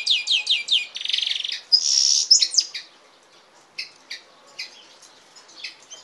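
Goldfinch x canary hybrid singing a quick, bright run of high twittering notes, a buzzy trill and a harsh rattle, then scattered sharp chips.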